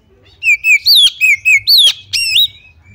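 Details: Oriental magpie-robin female giving a lure call meant to set other magpie-robins singing: rapid series of bright whistled slurs, falling then rising, ending in a longer upswept note, over a faint low background hum.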